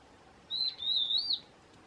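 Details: Stripe-backed antbird, known in Brazil as piu-piu or tem-farinha-aí: one clear, high whistled phrase under a second long, wavering gently up and down with a slight rise at the end, over a quiet background.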